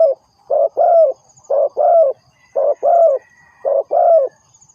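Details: Spotted dove used to lure birds into traps. It gives four regular pairs of soft, low coos, a quick note then a longer falling one, separated by short pauses, with a faint thin whistle in the background.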